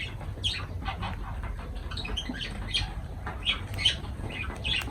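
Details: Lovebirds giving a run of short, shrill, high chirps, several in each second, fairly faint over a steady low background rumble.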